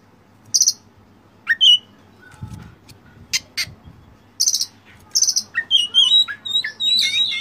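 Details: Kacer song with varied imitations: isolated sharp high chips, a rising whistle, then a rapid sequence of twisting whistled notes and trills building toward the end.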